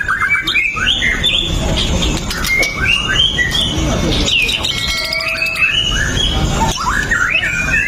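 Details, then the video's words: White-rumped shama singing nonstop to prompt other shamas: a dense run of whistled trills, rising slurs and bright high notes, with a brief low tone near the middle. "PANCINGAN MURAI BATU LANGSUNG BUNYI 100% GACOR TANPA HENTI"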